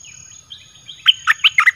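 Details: A short song phrase from a caged red-whiskered bulbul, played to attract wild birds: a soft thin note, then four or five loud, clear whistles in quick succession.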